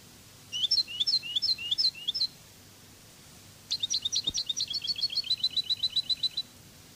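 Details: Spanish Cádiz-language song of a European goldfinch: five or six high swooping double notes, a short pause, then a fast, accelerating trill of crisp repeated notes lasting nearly three seconds, with one soft click.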